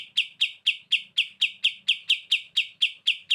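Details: Short stretch of kapas tembak masteran song in bren beset style: clear, evenly spaced high chip notes, about thirteen in just over three seconds.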